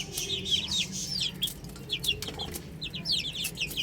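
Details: Baby chickens peep in uneven clusters of high, falling chirps, some loud and close, separated by short quieter spells, a low hum underneath.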